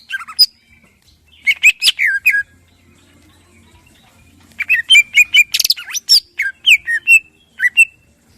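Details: Morning song of a caged greater green leafbird used to make other birds sing: scattered sharp notes, a long quiet gap, then an energetic jumble of whistles, chatters and slurred notes.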